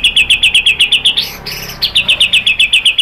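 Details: White-rumped shama song used as a lure to provoke another bird to sing: a rapid run of sharp, bright chirps about four per second, broken midway by a brief higher rasping phrase, then the chirping resumes.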